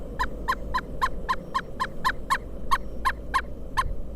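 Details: Wild pileated woodpecker in Kalamazoo, Michigan, during a snow storm in December 2022, giving a rapid unbroken string of about fourteen ringing, same-pitched notes at a quick, slightly uneven pace against a deep windy roar.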